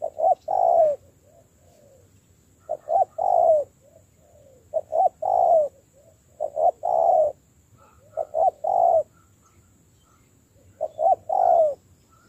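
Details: Spotted dove trained as a decoy gives spaced cooing phrases, short-short-long, every two seconds or so, with faint soft notes between.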